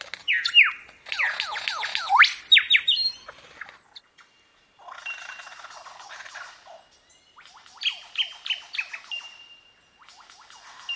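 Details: Superb Lyrebird singing mimicry: rapid strings of whistled sweeping notes rising and falling, a stretch of harsh scratchy chatter, then more quick repeated downslurred whistles, varied throughout.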